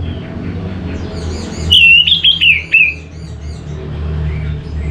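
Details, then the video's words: Orange-headed thrush: a short, loud run of wavering whistled notes that dip and rise, lasting about a second, set against steady low background hum. "Suara ANIS MERAH Cepat Gacor"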